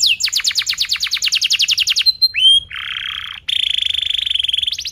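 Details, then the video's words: Canary singing a training song for young birds: a rapid rolling trill of clipped high notes, a few thin whistles, a dry buzzy stretch, then a fast rattling roll ending in rising notes. "KENARI GACOR PANJANG Rol Rapat EMOSI Cuit cuit Ngerol AMPUH utk Pancingan kenari paud belajar bunyi"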